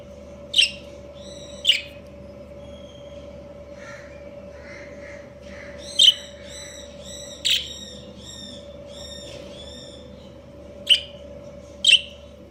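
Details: Budgerigar breeding pair chatters: sharp chirps mixed with a run of tonal, warbling notes in the middle, fainter soft calls between, all over a continuous low hum.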